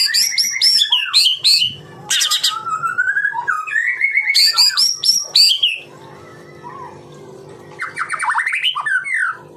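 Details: Murai batu, the white-rumped shama, delivering tembakan rapat song: crowded bursts of high sharp notes and whistled slurs for six seconds, a quiet hummy pause, then a renewed sweeping phrase.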